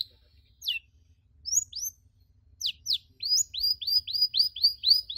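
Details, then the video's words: Canary cuit cuit training sound: scattered single sharp falling chirps separated by pauses, then a steady rhythmic series of bright downslurred chirps, quiet background. "MASTERAN KENARI SANGAT COCOK UNTUK PAUD YANG LAGI BELAJAR BUNYI CUIT CUIT"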